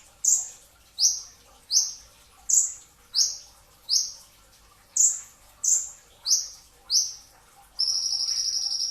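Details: Pre-dawn sahur training recording of a brown-throated sunbird in 'tembakan rapat' song: ten quick, sharp, high slurred notes, then a sustained, rapid buzzing trill to the end.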